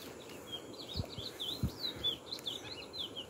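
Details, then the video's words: A hidden chestnut-bellied seed finch sings high up near a riverbank, a faint, continuous run of quick, warbled, whistled notes at a high pitch, over low thumps and rustling outdoor noise. "Agora vou ver se eu pego o curió aqui que tá cantando."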